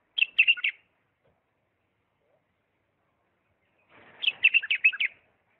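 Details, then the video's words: Bulbul of Diyala singing a refined song style: two bursts of fast, warbling whistled notes, the first brief, the second longer after a gap of about three seconds, with a faint rustle before it. "اجمل تغريد بلبل ديالى طور لسانات راقيه"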